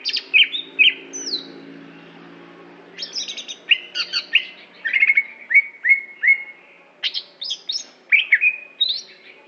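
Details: Greater green leafbird from Aceh: a low hum first, then a run of clear downslurred whistles and chattering notes repeated steadily with varied high sweeps.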